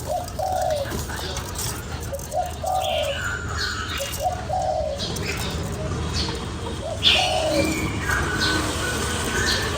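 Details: Spotted dove coos played to excite a lure bird: repeated low phrases of a short note or two and a longer coo, recurring about every two seconds, partly masked by heavy hiss, rustling and a sudden bump.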